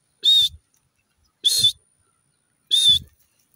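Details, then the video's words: Partridge calling in a forest: three loud, harsh, high-pitched bursts spaced about 1.2 seconds apart, each carrying a faint whistled tone, with soft low thuds beneath. "The croaking of a partridge bird ki boli"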